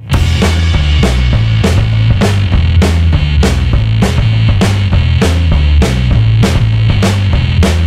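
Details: Loud, steady music with a driving bass drum and snare beat fills the whole stretch, with no animal sound at all.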